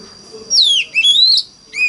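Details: Oriental magpie-robin in the 'mountain forest voice' style, singing to coax other magpie-robins into song: a loud whistle sweeping downward, then a rising drawn-out note, and a brief clear whistle to close.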